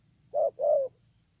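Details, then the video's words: A single two-part coo from a spotted dove used as a ground decoy: a quick first note then a longer sustained note sloping down at its end, with quiet background hum. "CU GÁY"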